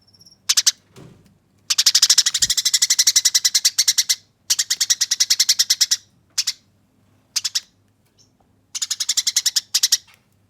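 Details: Eurasian tree sparrow fighting song, rolling harsh yet clear chatter: several bursts of rapid dry chips, the longest over two seconds, separated by short silences, plus a couple of soft thumps.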